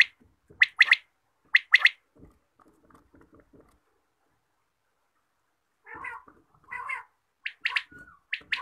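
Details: Quail calling in the morning: loud harsh paired bursts, each a rapid broadband rattle of several notes, repeated about once a second, then a quiet gap and softer, shorter notes near the end.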